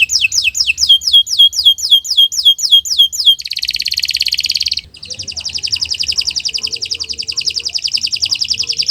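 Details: Canary singing in the morning, recorded as master song for tutoring birds: fast series of falling whistles, a dense buzzy trill, then a long rapid even trill.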